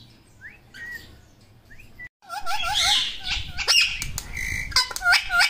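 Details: A pet talking parrot gives a series of whistled notes, some wavering up and down, mixed with harsh squawks and wing flutters. A lower background hum is also present.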